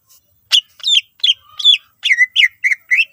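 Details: Brief burst from a greater green leafbird in constant song, used to get other leafbirds singing; about nine quick whistled and chirping notes, some sliding down and others rising, spaced roughly a third of a second apart.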